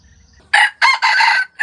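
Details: Jungle chicken crow used for trapping wild chickens: a loud, rough crow in clipped bursts, a short first syllable then a long grating phrase, cut off as another note begins.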